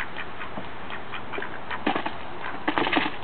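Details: Two male mallards begging for birdseed at a house back door in spring give short, nasal quacks in loose bursts that grow louder and quicker near the end.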